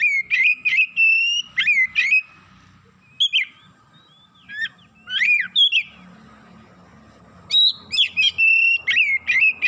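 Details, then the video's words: Oriental magpie-robin (kacer) in an excited state, singing loud, sweet whistled phrases mixed with sharp chirps in bursts separated by short gaps, with a faint low hum in the background. "KACER NAIK EMOSI BONGKAR ISIAN"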